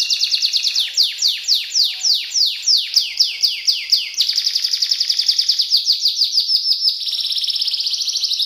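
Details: Canary speed-roll song: fast trill slowing into a string of loud falling swoops, then a quicker rolling trill and a final rapid even buzz.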